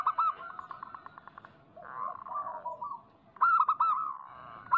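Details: Local zebra dove song meant to make doves sing: rapid clicking trill of coo notes, a hoarser broad sound in the middle, then clear loud rolling coos at the end.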